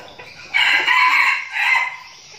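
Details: Red junglefowl kept as a decoy bird in Bình Phước, Vietnam, training with its flock. A strong hoarse crow runs for about a second, then a shorter second burst trails off. Faint background rustle.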